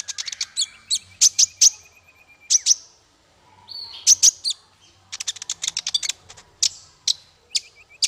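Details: Masteran song for teaching small fighter birds: high piercing chirps in quick clusters separated by short pauses, with a few lower rattling notes and fast twitter runs near the end.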